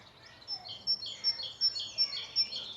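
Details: A great tit in a park sings bright, high two-note "teacher-teacher" phrases, repeated quickly and evenly, with other birds chattering softly behind.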